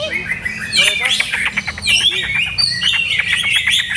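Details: Captive greater green leafbird being tried out in a new setup by its keeper: rapid, varied song of high whistled and chattering notes, with quick descending slurs and clicks, over a low murmur of voices and background noise.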